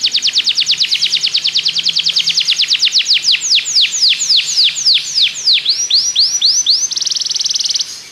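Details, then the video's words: Belgian canary singing to get other canaries singing: a steady rapid trill slowing into broad downward-curving swoops, ending in a dense buzzy high rattle. "Canário belga seduz todos os canários para cantar - treinamento de canário"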